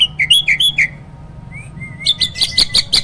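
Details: Caged hybrid myna kept as a master bird for training other songbirds: loud whistled notes rising and falling, a short series of bright chirps, a pause with a thin rising whistle, then rapid harsh repeated notes.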